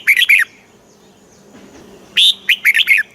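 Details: Red-whiskered bulbul song in the southern master style, played to excite and teach caged bulbuls in Thailand: two bursts of bright, warbled chirpy notes around a second apart, each a quick cluster of three to five slurred whistles, with quiet pauses between.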